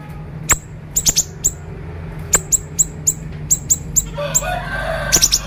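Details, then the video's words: Siri-siri bird singing actively in the sharp-voiced konslet style, recorded as training material for other birds: short, piercing high chirps, single or in quick pairs and triplets, spaced irregularly, over a low steady hum. "masteran konslet siri-siri gacor suara tajam"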